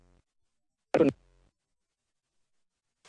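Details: Near silence broken once by a short, loud broadband knock or thump.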